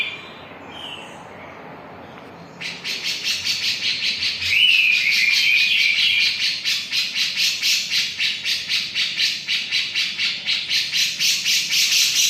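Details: After a quiet start, a Javan grey-cheeked bulbul launches into sustained harsh, rhythmic chattering at about two notes per second, with a short whistled phrase partway through.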